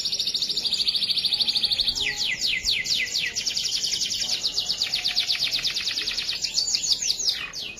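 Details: Canary master song for prompting other canaries to sing: a steady, very fast high trill that shifts after two seconds into a louder, rattling series of sweeping notes, delivered without a break for nearly eight seconds.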